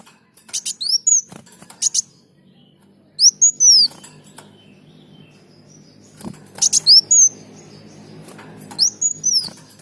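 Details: Sunbird giving sparse, high whistled down-slurs and scratchy clicks, singing for use in training other birds, with long pauses between short phrases and faint background hum.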